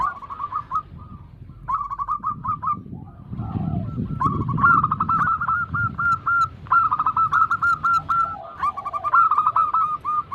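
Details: Zebra doves sing together, local and Bangkok-type birds, for a singing-stimulation recording: choppy rolling coo phrases of short whistled notes, overlapping voices, and a low rumbling noise underneath in the middle.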